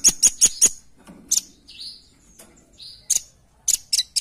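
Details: Velvet-fronted nuthatch calling steadily as a lure sound: an opening burst of four quick, shrill chips, then scattered high notes and descending whistles of another bird, ending with a further cluster of chips.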